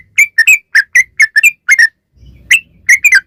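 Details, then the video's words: Lure recording of a singing sooty-headed bulbul: crisp, slightly falling whistled notes, often doubled, delivered at an even lively pace, with a short pause and faint low rumble before the notes resume. "trucukan gacor ROPEL PANJANG"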